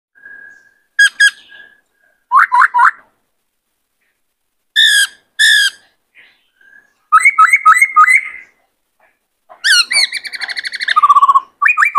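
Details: A male black-throated laughingthrush in peak condition, singing and dancing, sings loud, rich whistled phrases in short bursts, with quick rolling notes and a fast rippling trill at the end.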